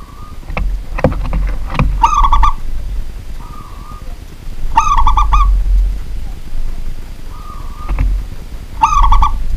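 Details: Local zebra dove, a kept pet bird, singing at night: a smooth hummed note, then a short rolling stuttered coo of three or four pulses, repeated about every three seconds over a steady low rumble and a few clicks.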